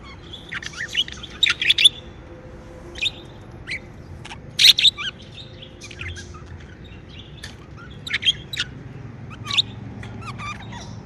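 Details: Pet budgerigars chirping happily, with scattered short, high tweets and twitters coming in irregular small bursts through the stretch, some paired, with brief quiet gaps and a soft low background hum.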